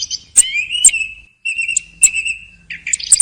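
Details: Thrush at the end of the hunting season giving a few spaced, drawn-out whistled notes with sharp high clicks at their start, roughly one phrase every half second.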